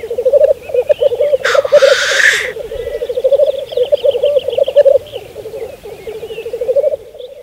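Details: Black grouse at a spring lek on Saaremaa, 2014: continuous low bubbling, cooing rookoo phrases pulsing without pause, broken once by a loud harsh hissing sneeze, with faint higher calls behind.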